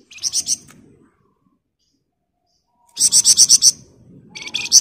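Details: Flamboyan bird in tight ngebren song for training other birds: a short burst of quick buzzy pulses, a two-second pause, then a longer series of about seven loud rasping notes and the start of another.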